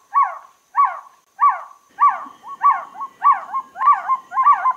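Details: Trogon giving a steady string of falling, hollow notes about once every 0.6 seconds; later notes are doubled and run closer together.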